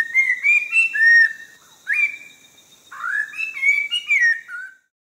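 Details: Orange-breasted laughingthrush of southern Vietnam's Langbian Plateau. It gives loud clear whistles in three phrases: a rippling run, a single long upswept note, then a closing series of rising and falling whistles before silence.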